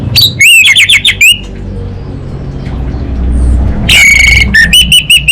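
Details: Orange-headed thrush (anis bata) from Singaraja, North Bali, singing hard in the chattering 'kabel konslet' style meant to prompt other birds to respond: loud rapid wavering whistled phrases, a quiet gap, then another fast ringing burst of repeated notes.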